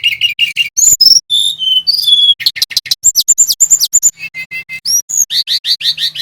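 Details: Male brown-chested jungle flycatcher from Bali in full rolling song, used as a lure for other birds. Dense, fast, varied high notes: whistled slurs, quick chip series and repeated rising notes, over a faint low hum.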